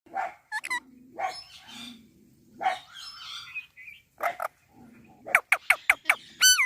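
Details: Indian parrot talking: short harmonic whistled notes, then voice-like phrases with low buzzy parts, ending in a fast run of sharp repeated squawks and a rising whistle.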